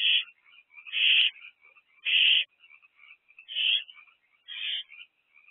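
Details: Evening of 23 April 2024 at an owl nest box, just before 8 pm on an active night: rapid run of five raspy, hissing screeches, roughly one per second, fading slightly, with faint high trills in between.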